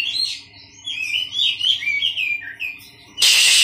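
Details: An Oriental magpie-robin colony, birds kept together to calm a nervous one. Fluty descending whistles and warbled phrases, ending in an abrupt loud harsh rasp.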